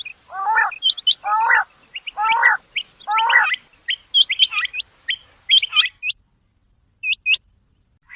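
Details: Rain quail giving high, paired chirps in irregular runs. Early on they are mixed with four lower, buzzy, stacked calls, then they continue alone before a short pause and a final pair.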